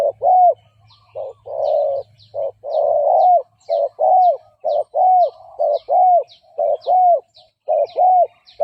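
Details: Spotted dove decoy cooing for luring and provoking fighting males; an even run of mellow, down-curving coos, about sixty-three a minute, with a low hum early on and faint high chirps of other birds.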